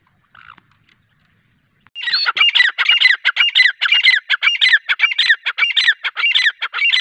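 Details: Grey francolin, known locally as teetar, calling. A faint note comes first, then a loud, harsh series of squawking notes repeated rapidly and steadily, about two per second, runs unbroken for five seconds. No other sounds are heard.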